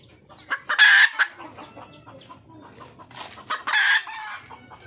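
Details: Wild red junglefowl hen calling to attract a male: two loud, harsh, noisy cackling bursts a few seconds apart, with scattered softer clucks between.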